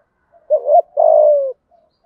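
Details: Spotted dove giving a 'thúc gù' urging coo in the low 'thổ' voice style: one phrase, a short wavering double note, then a long, steady, slightly falling hollow coo. Otherwise quiet.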